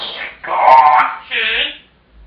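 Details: Indoor pet African grey parrot shouting, a habit it repeats when its owner returns from work until fed and whenever the owner leaves the room: loud, hoarse, voice-like squawks in three close bursts.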